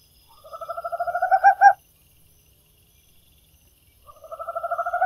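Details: Tropical screech owl (Megascops choliba) singing a low, purring trill of quick hoots that swell in volume and end in two emphatic notes, then starts again.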